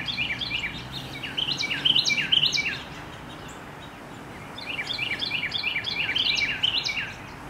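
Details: A very vocal male Carolina wren sings in the late afternoon, two loud rolling bursts, each a quick run of bright repeated phrases about four per second, over a faint outdoor hiss.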